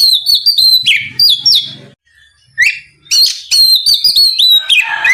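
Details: Oriental magpie-robin (kacer) song used to entice a rival into singing: fast whistled phrases and chirps, a brief silence, then a dense burst of bright, descending whistled notes.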